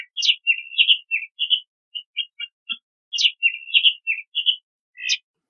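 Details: Crissal thrasher singing a sequence of varied whistled and chirped phrases, one sharp rising-falling note followed by warbles, with the opening pattern repeated after about three seconds; background quiet.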